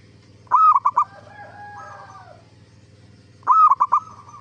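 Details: Zebra dove singing as a lure so other zebra doves will answer: two rolling coo phrases three seconds apart, each an upswept note followed by rapid beats, with faint drawn-out tones between.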